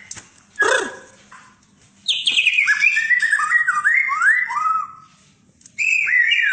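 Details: White-rumped shama, a 'fighter' bird with varied fighting styles: one sharp burst, a pause, then a fast run of descending slurred whistles and a final rising whistled phrase.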